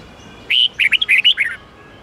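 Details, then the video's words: One red-whiskered bulbul phrase in the 8-9-10 note twisting style used for song training: a clear opening whistle, then a rapid run of short rising and falling warbled notes, lasting about one second. "Luyện giọng chào mào hót âm 8-9-10 xoắn tít cực hay"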